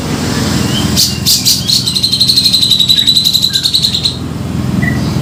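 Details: Grey-cheeked bulbul lure call for trapping: a fast run of high rattling chips lasting about two seconds, then a few short whistles, over a low steady background hum.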